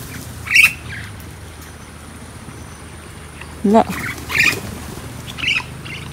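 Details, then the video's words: A happy, talkative pet crested myna out roaming by a riverside and fields gives a few short, harsh squawks and chirps spaced a second or more apart, over a steady outdoor hiss with a brief low voice-like sound. "KAPAG MASAYA MAS MADALDAL ANG MGA IBONG MARTINEZ"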